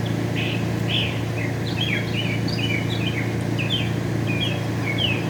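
A Northern mockingbird sings a steady run of varied, clear chirps and short slurred notes, about two a second, over a constant low rumble of distant traffic.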